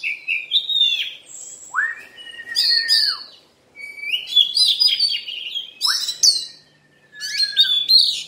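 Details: Oriental magpie-robin song: long clear rising whistles alternating with rapid chattering and warbled phrases, a short gap in the middle.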